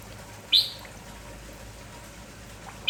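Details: Kampong-type Red-whiskered bulbul, said to be spirited in the morning and never quiet, utters one crisp descending chirp, followed after a long gap by the start of another, over low background noise.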